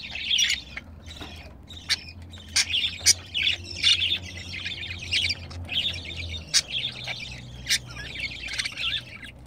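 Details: Budgerigars mating indoors: a steady stream of twittering, buzzy warble punctuated by sharp click-like ticks every second or so, over a faint low hum.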